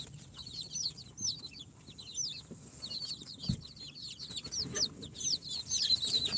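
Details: Young incubator-hatched chicks at four days, Sultan, Golden Sebright, Cochin and booted breeds, chirping in a busy chorus of high, short, falling peeps, a background hum running underneath.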